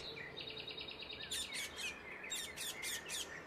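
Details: Indian ringneck (rose-ringed) parakeet calling in nature: a run of fast high screeching notes followed by a few harsh repeated squawks, over soft background noise.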